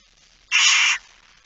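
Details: Barn owl in a nest box late in the evening, 13 September 2019; one rasping, breathy screech lasting about half a second, broad and hiss-like, starting and stopping abruptly.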